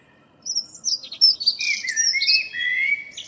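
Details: A common blackbird near home sings at dawn, April 2013, beginning with high scratchy twitters then sliding into a lower, sustained fluty whistle.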